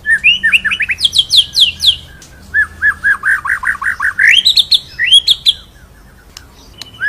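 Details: White-rumped shama in full rolling, shooting song style. Loud, varied whistled phrases: rising slurred notes, then a rapid run of repeated falling whistles sweeping up into high, bright notes, with short pauses. A quiet low hum underneath.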